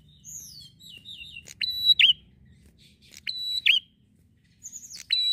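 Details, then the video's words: Bar-winged prinia in gacor ngalun style, a lure for prinias: an opening run of thin descending twitters, then clicks and steady shrill whistles with twisting endings, repeated at short intervals. "prenjak gacor ngalun mantap pancing burung prenjak"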